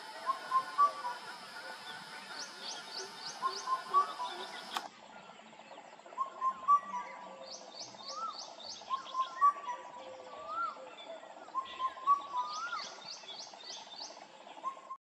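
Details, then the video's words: An Indian cuckoo (Cuculus micropterus), a shy solitary bird of forest and open woodland, repeats a mellow four-note whistled phrase every few seconds, with high rapid chirps from other birds above it. "Indian Cuckoo Calling"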